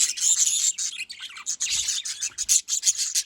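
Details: Budgerigars calling, bred birds kept in Larkana, Sindh: dense high chirping and scratchy warbling chatter, overlapping bursts with no pauses, several birds at once.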